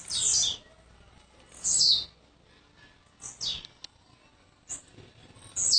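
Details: Blue-black grassquit, a kept bird from Jacarepaguá, Rio de Janeiro, that arrived the day before, singing short high buzzy phrases sweeping downward, repeated about every one and a half seconds over faint background noise.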